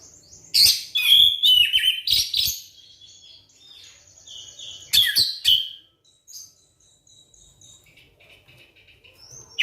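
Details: Lure song of the Oriental magpie-robin, used to trigger quiet kacer into full song: loud clusters of sharp, high chattering notes separated by long quieter spells of thin whistles.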